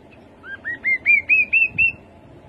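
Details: Rising ladder of seven whistled, upslurred notes from a rufous-capped babbler, quiet at first and growing stronger, delivered evenly in about one and a half seconds, with low background rumble.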